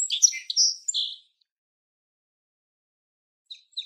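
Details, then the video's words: Song Sparrow: a quick, jumbled burst of bright, high chips and slurred notes lasting just over a second, then after a pause two more short, high notes. "What Does a Song Sparrow Sound Like?"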